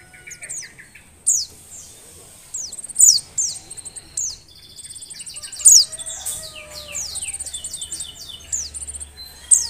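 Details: Female Oriental white-eye in breeding condition giving thin, very high chirps and quick down-slurred twitters in short bursts every couple of seconds over a faint low hum.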